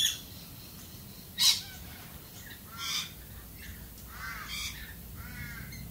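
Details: Australian galah calling with a loose series of rough, grating screeches, about one every second or two, mixed with a few sharp clicks or knocks in a quiet outdoor setting.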